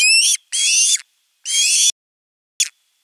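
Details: Osprey chick begging for fish at nest 3 on 10 August 2021, live nest camera: three long, harsh, upward-sweeping screeches, then a short final clipped note.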